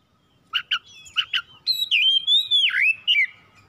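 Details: Home-kept oriental magpie-robin singing as a lure to spark singing: four short sharp chirps, then a flowing phrase of sweet whistled notes that swoop down and rise again.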